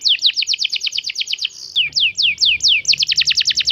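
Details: Young canary song used as a lure to get other canaries answering at once: fast runs of bright down-slurred notes, about eight per second, briefly slowing to longer sweeps midway, over a faint low hum.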